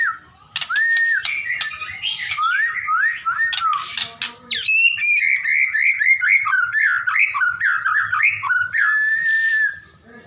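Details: White-rumped shama in full song: varied rich whistled phrases, rising and falling, delivered continuously, with a few sharp clicks early on.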